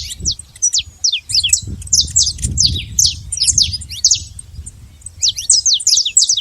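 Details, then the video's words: Saffron finch free in the wild, singing clusters of high, quick, falling chirps with short gaps, over steady low background rumble and wind-like noise. "canário da terra livre na natureza"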